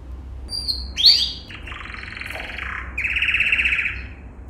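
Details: Yellow canary, male, in a training song for other canaries: brief high whistles and a sharp note, then long rolling buzzy trills held at mid-high pitch.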